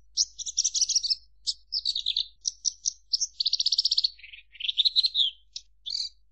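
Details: Varied chirping song from a Javan bush lark, dense scratchy phrases mixed with a steady buzzy trill and lower sliding warbles, in a quiet setting.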